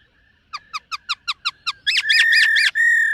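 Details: Black-throated laughingthrush training its morning múa-style song: seven soft clicking notes at a steady pace, then loud, rapidly warbled whistling phrases ending in one long level whistle.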